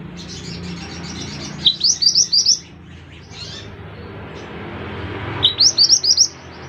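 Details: Scarlet minivet, a caterpillar- and insect-eating forest bird, singing actively: two short bursts of bright, high, rapid chirping notes about four seconds apart over a steady low background hum.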